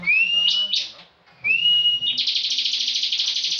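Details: Bar-winged prinia kept for national song competitions, in ngebren song. Two rising whistles each end in short buzzy notes, then a long, evenly pulsed rattling trill follows.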